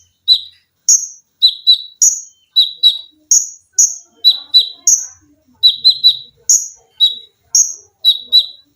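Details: Olive-backed sunbird (konin), an actively singing cage bird, in a masteran training recording of tembakan rapat, mesin jahit, lengkingan and besetan styles: sharp high chips alternating between two pitches, often doubled, delivered in quick bursts with brief gaps.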